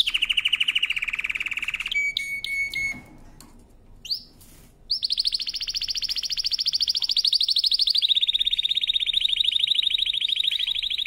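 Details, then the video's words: Singing canary, song used for training: a lower rapid trill, a brief pause with a few clicks and chirps, then a long fast rolling trill that steps down in pitch partway. "CANARY SINGING POWERFUL SONG | CANARY SINGING FOR TRAINING"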